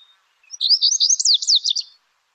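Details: A Lazuli Bunting from the Lake Tahoe area sings one quick, high, jumbled phrase of about a second and a half, sliding and buzzy notes tumbling together and ending in a 'yuli'-like flourish.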